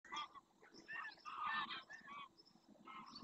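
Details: Large wintering flock of greylag geese in flight, returning to a lagoon in the Doñana National Park marshes, Spain, at first light; overlapping nasal, harmonic honks from many birds in loud bursts with brief gaps.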